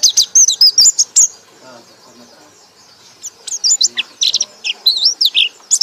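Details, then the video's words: Loud ngekek-style song of a white-eye: a quick burst of warbled high chirps, about two seconds of near silence, then renewed twisting, wavering whistles. "pleci anda akan ngekek ngekek keras"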